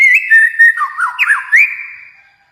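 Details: White-rumped shama from Kalimantan giving a clear whistled phrase, long level notes then dipping and rising slurred whistles that fade away at the end.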